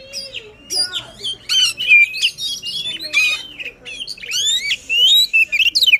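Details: Excited song of a white-rumped shama, meant to encourage a reluctant bird to sing, made of rich rising and falling whistles mixed with buzzy chatter and a fast stuttering series of notes near the end.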